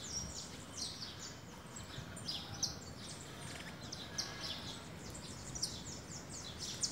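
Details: In Vitória, a pair of saffron finches feeding on cracked corn give rapid bright chirps high in pitch, some rising and some falling, almost continuous throughout, with a constant noisy hiss underneath.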